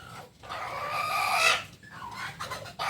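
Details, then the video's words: Kukuak Balenggek chicken, a singing chicken native to Solok, West Sumatra, giving a harsh, harmonic-rich crow that swells and rises over about a second before breaking off, followed by shorter fragments. "Ayam kukuak balenggek ayam asli solok sumbar"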